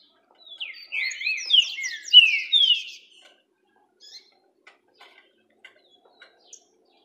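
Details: A green-winged saltator beginning to sing gives one rich, orderly, fast phrase of slurred whistles lasting about two and a half seconds, followed by faint clicks and taps.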